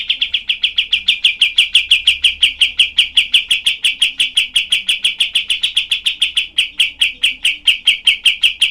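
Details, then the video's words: Long unbroken 'tembakan' barrage from a cream-vented bulbul (kapas tembak), a rough, densely packed song used to tutor other songbirds: about fifty sharp, evenly spaced notes, roughly six per second. "masteran kapas tembak"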